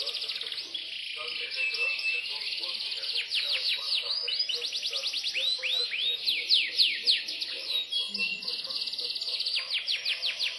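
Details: Caged imported Yorkshire canary delivering an unbroken run of high trills. Quick repeated note series speed up and slow down, with slurred whistles and rolling chatter woven between them, and only a quiet hum behind.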